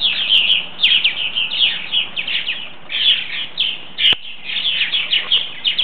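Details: Flock of about ten purple martins coming in for the night, giving continuous loud overlapping chirps and throaty chatter, nearly unbroken, with a few sharp clicks and knocks.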